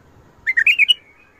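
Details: Bulbul giving a short, loud phrase of about six rapid, rich whistled notes that rise at the end and fade into a thin trailing whistle, in the Mandali and Badra singing styles known as shadat ward, fajrli and ward tabarli.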